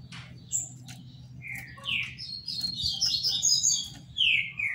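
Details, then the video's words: Green-winged Saltator (trinca-ferro), Paraná, legally kept: two falling whistles, then a jumble of high twittering notes and a final descending whistle, over a steady low hum. "TRINCA FERRO PARANÁ CANTANDO BONITO"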